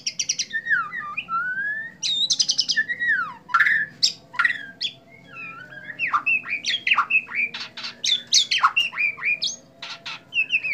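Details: White-rumped shama from Indonesia singing during its bowing display: a fast, varied run of loud whistles, down-slurred notes and sharp clicks and chips, with short pauses between bursts.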